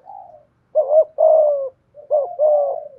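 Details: 'Giọng thổ' style cooing from a decoy spotted dove: a faint soft opening coo, then two clear phrases of a brief throaty note running into a longer mellow coo that sinks at the end.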